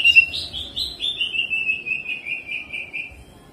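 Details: Greater green leafbird singing energetically with mimicry and rolling: a softer, slightly distant pulsed trill that steps gradually downward for about three seconds.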